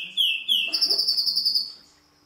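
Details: Greenfinch-canary hybrid in song. Two clear downward-sweeping whistles come first, then a quick high, even trill of about ten notes that fades away.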